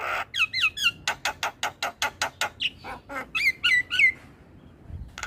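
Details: Javan pied starling singing in the morning so young starlings can learn the song: twisting whistles, then a steady run of about a dozen harsh chack notes, then more looping whistled phrases.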